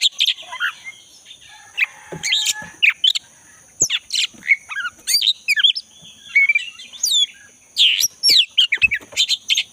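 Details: Forest recording of a black-breasted Oriental magpie-robin in full voice, meant to prompt a silent caged bird to sing: dense, varied run of sharp chips, short whistles and squeaky notes in quick succession, with a constant shrill background hum.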